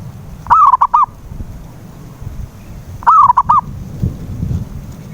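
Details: Cooing of a zebra dove played to draw song from a silent dove. Two phrases about two and a half seconds apart, a rolling opening note then two brief notes, over a low rumbling background.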